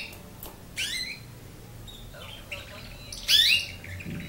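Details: A nine-month-old canary practising its song gives two harsh, squawky bursts of high, rasping notes with a few thin chirps between, in a quiet room.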